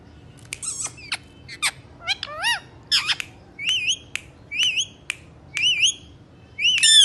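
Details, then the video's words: Indian ringneck parakeets, three pet parrots described as talking, give a run of sharp, high, wavering squawks and rising-falling chirps, repeated roughly every half second, with a few clicks between calls. "Three parrots amazing talking video"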